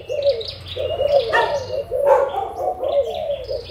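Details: Adult spotted doves of Malaysian and Thai origin coo in quick rolling notes, about one phrase per second, recorded in March 2022. Brief high chirps from other birds cut across the phrases.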